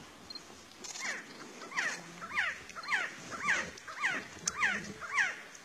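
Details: Resplendent quetzal, a bird revered by the Maya, singing a regular series of down-slurred whistled notes, about one every half second, over a steady background hiss.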